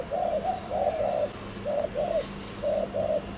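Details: Spotted dove, a decoy bird, giving the fast 'gù' coo used to excite and lure wild doves: low, mellow coos in close pairs, each pair about a second apart, over a faint steady hum.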